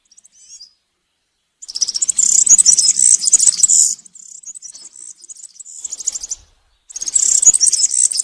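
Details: Campero song of a European serin in the forest, meant for tutoring young serins: a brief opening chip, then loud, fizzy, high-pitched trilling for two seconds, a fainter twittering stretch, a pause and a fresh loud burst.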